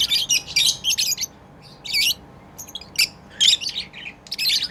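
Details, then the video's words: Lovebirds playing, chirping with rapid shrill twittering bursts and scratchy high notes in uneven groups, short silences between, over low room noise. "Lovebirds playing & Chirping sounds"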